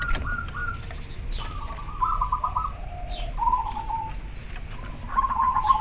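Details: Clear trilled coos of a male local zebra dove calling to a female, a series of warbling, slightly stepped phrases, one after another, with low rumbling noise beneath.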